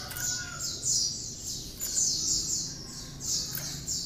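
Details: Cinereous tit singing with bar-winged prinia notes worked in, a song used to train other songbirds: high, clear paired notes repeated steadily about once a second.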